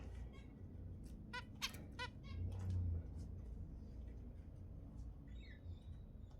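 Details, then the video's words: Song of a zebra finch, used to stimulate mating among kept birds: a series of sharp, nasal, stacked notes roughly every half second, then quieter chirps and a faint high trill, over low room noise. "تحفيز الزيبرا على التزاوج 10 دقائق من أصوات الزيبرا المحفزة"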